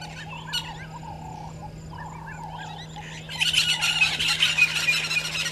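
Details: A violet-backed starling pair at their nesting tree by Gowrie dam, Djuma Game Reserve, Sabi Sand, South Africa, at 05:48 on 13 Dec 2022 gives soft, short rising-and-dipping whistled chirps, then loud dense chattering over a low hum.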